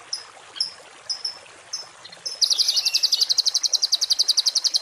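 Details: Songbird recorded as a 'tembakan kasar' masteran for cage-bird training: scattered thin high chips at first, then a fast, steady, shrill trill of repeated pulses running to the end.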